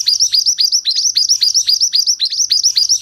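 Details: Pied bushchat, locally mantenan, singing a tutoring song for other birds: rapid repeated high notes that each slide sharply downward, closely packed at roughly four per second, with a soft low hum in the background.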